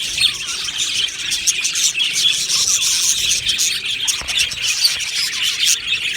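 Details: Budgie colony in an aviary, with many birds twittering at once in a busy, high, scratchy chatter. A few lower wavering warbles come through beneath it, and a short sharp click is heard near the end.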